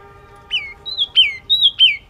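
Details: Yellow-cheeked tit song: three bright two-part phrases in quick succession, each a high thin whistle followed by a sharp, falling, slightly buzzy note, over a faint background hum.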